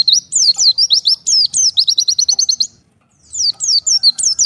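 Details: Separated from the flock, an oriental white-eye calls to the others with fast, high slurred chirps and a short buzzy trill, falling silent briefly before starting again.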